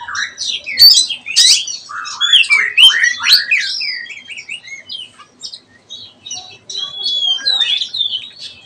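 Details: Kacer, an oriental magpie-robin, practising ngeplong song: a busy tumble of rising and falling whistles and chirps in the first half, fading into softer scattered warbling notes later.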